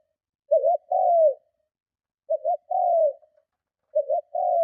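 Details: Spotted dove in strong provoking coo for luring other doves. Three phrases about every one and a half seconds. A brief broken two-note opening is followed by a sustained, gently falling low coo.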